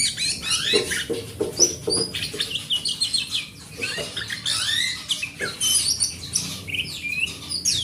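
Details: Loud, varied song of a forest oriental magpie-robin, used to coax a silent magpie-robin into singing: rapid sweet whistles, rising and falling slurs and scratchy notes tumbling together with hardly a pause, over a faint low hum.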